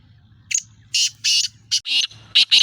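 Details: Black francolin of the speeder chakri wala type, from Sindh and Punjab, calling: a harsh grating phrase of about seven loud raspy bursts, the last ones shorter, buzzier and closely paired, over a faint low hum.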